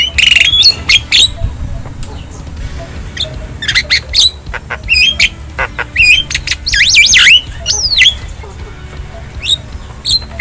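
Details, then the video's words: Javan myna, wild bird in nature, used as a master song to train caged birds: harsh squawks mixed with sharp whistled notes, rising slurs and rapid buzzy chatter, busy and varied throughout. "Masteran Burung Jalak Kebo Jabo Jalbo Asli Alam Liar"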